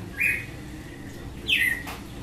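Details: Two clear slurred whistles from a red-cowled cardinal in açoite song style, about a second and a half apart, against a quiet backdrop.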